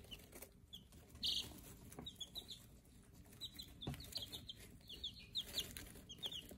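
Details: In a brooder, day-old Silver Laced Wyandotte chicks utter frequent high, brief falling peeps, several overlapping, with a soft rustle early on and constant low background hum.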